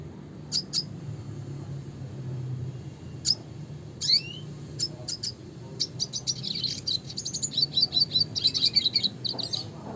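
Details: Classic red siskin (Spinus cucullatus) song, starting with scattered high chips and a rising twitter, then building into a fast, sustained, tinkling warble of repeated high notes over a faint low hum.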